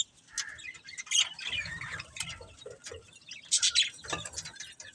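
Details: Budgerigars kept as pets chatter continuously, a dense mix of high chirps, scratchy warbles and sharp squeaks, with a louder burst of calls near the end.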